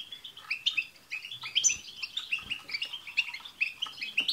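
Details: European goldfinches singing as a group to prompt a pet goldfinch; fast, cheerful twittering with repeated chirps and short trills overlapping throughout.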